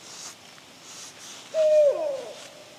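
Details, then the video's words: An evening call from an adult barred owl near juveniles in a park: after faint background rustle, one strong level hoot that breaks and drops into a quavering, descending finish. "the adult is calling back here to my left"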